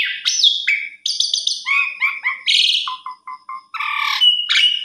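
An Asian pied starling sings a rambling, varied song of harsh chattering notes, clear whistles and a few low, throaty clucks, changing phrase every half second.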